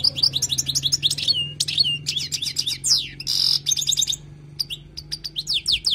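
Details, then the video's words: Wild European goldfinch song used for tutoring: a fast, tinkling twitter of high, liquid slurred notes and buzzy trills in quick runs, with brief pauses and a steady low hum beneath. "تغريد حسون خلوي للتعليم"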